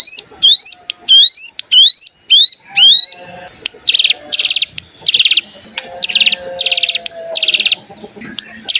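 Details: Lure to make cigun (mountain tailorbird) sing and 'ngebren': five rising whistles first, then buzzy bursts of very rapid high trills, with a faint steady tone throughout.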